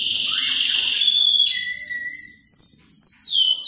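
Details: A canary song used to get a canary singing: long, steady, high whistled tones sliding slightly in pitch, overlaid with short rising and falling notes and a brief lower whistle.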